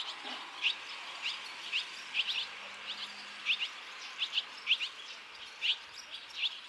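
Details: Young barn swallows fledging: five chicks left one nest in two and a half minutes while already-fledged young from other nests encouraged them. Sharp rising chirps sound singly or in pairs, spaced half a second to a second apart, over faint background hiss.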